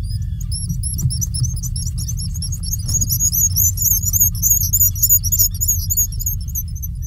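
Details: Black guillemot parents calling back and forth while feeding chicks at a burrow on Seal Island, Maine, USA, June 30, 2021; thin, high, wavering whistles in quick, uneven series over a steady low rumble of wind or surf.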